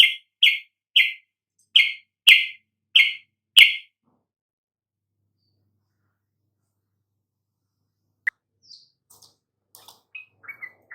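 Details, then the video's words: Sooty-headed bulbul song, played to provoke lethargic or stuttering bulbuls into singing freely: seven short bright chirped notes in quick succession, then a long silence and a few faint scattered high notes. "coba Pancing dengan kicau TRUCUK ini agar NGEPLONG"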